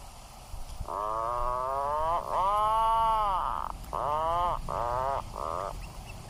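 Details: Atlantic puffin giving a series of five drawn-out, nasal, moaning notes, each arching gently up then down, the longest near two seconds, separated by brief gaps over a low background rumble.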